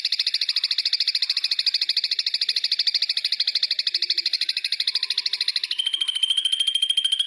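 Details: Ashy drongo on a long tutoring recording, giving a fast pulsed trill of harsh repeated notes that runs steadily for over five seconds, then changes to a thinner, steady high tone.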